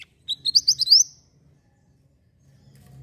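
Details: Energetic mantenan (Javan white-eye) song for tutoring birds: a tight cluster of six or seven high, rising chirps in under a second, then near silence with a faint low hum.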